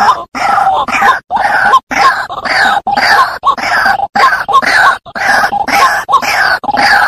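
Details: {'text': 'Rhythmic harsh croaking of a White-breasted waterhen, recorded for luring birds, with rough grunting notes roughly once per second, each punctuated by a brief high squeak.'}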